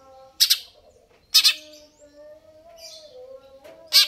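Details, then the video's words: Greater green leafbird singing gacor, with three widely spaced harsh, explosive bursts and soft drawn-out whistled tones in the pauses. "cucak ijo"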